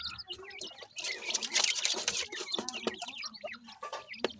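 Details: Several grey francolin chicks chirp rapidly while feeding, about three peeps a second, high and slurred, amid loud rustling and scratching sounds.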